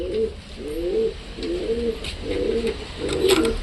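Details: Domestic pigeons in a home loft while the room is opened to let them out onto the veranda: deep, rolling coos repeated about every second, each swelling and dipping, with faint clicks and shuffling in the background.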